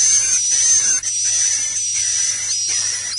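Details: Swiftlet roosting lure call, the 'inap plus' style sound liked by swiftlets: a continuous high, thin, buzzy twittering with a steady whistled tone and short breaks, over a faint low hum.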